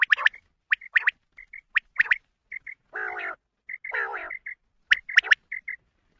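Short, liquid quail notes repeat in quick pairs and triplets, broken by sharp clicks and two harsher, buzzy bursts.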